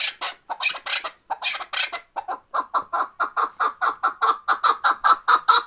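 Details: Chukar partridge in the Bartang valley of the Pamirs: rough, broadband clucks at first, then settling into a steady run of throaty chuck notes, about two per second, growing louder toward the end.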